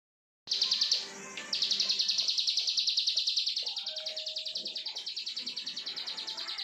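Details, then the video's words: Plain prinia (ciblek sawah) singing its long continuous 'brenn' song: a brief high buzzy burst, a pause, then a steady fast train of high buzzy notes, about three per second, over faint low background noise. "CIBLEK SAWAH BRENN 2 MENIT"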